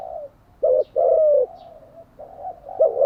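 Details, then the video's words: Spotted dove cooing, recorded for training decoy birds. Low, soft, hollow coos, one short note then a longer drawn-out one, with a quieter murmur between phrases. "Tiếng chim cu gáy mới nhất, dùng luyện chim gáy bổi và mồi hàng ngày"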